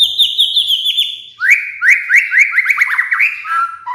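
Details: White-rumped shama (murai batu) lure song used as master training audio for caged birds, aimed at moulting birds; quick series of high clear whistled notes, then lower rising slurred whistles repeated rapidly, ending in a brief warble, no other sounds.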